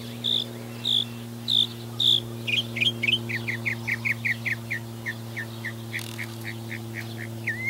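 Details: Northern mockingbird singing, recorded with a Nikon V1 camera: four loud, clear high whistled notes repeated about every half second, then a long run of quicker, lower chirped notes, over a steady low electrical hum.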